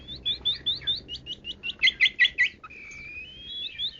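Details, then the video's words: Long-tailed shrike, 'kaya rasa' song: a quick series of twittering slurred notes, louder sharp chirps in the middle, then a long thin steady whistle rising at the end. "BURUNG PENTET 'KAYA RASA'"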